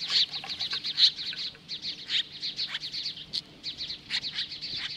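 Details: Nesting Osprey near Lolo, Montana, facing off magpies on a July 2015 morning: a quick chain of shrill, piping chirps with a few louder accented notes, delivered in short irregular clusters against a quiet background hum.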